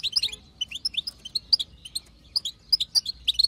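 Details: Chatter of a wild female European goldfinch, meant to make the male sing. Scattered high chirps and twangy twitters come in uneven clusters, some rising sharply, over a quiet low hum.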